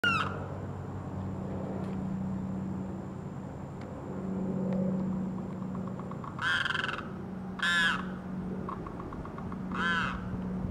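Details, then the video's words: A Limpkin on Florida's Gulf Coast gives three loud, harsh, wailing screams a second or so apart, with faint clicks between them over a steady low hum. "Limpkin - Calling & Clicking"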